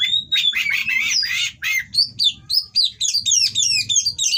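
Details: Oriental magpie-robin singing the aggressive 'kacer kawin' mating song played to provoke rival birds: an opening burst of grating, buzzy notes, followed by a rapid chain of sharp downslurred whistles.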